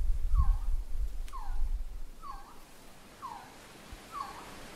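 Resplendent quetzal giving five mellow, falling whistled notes about once a second, with low wind rumble early on.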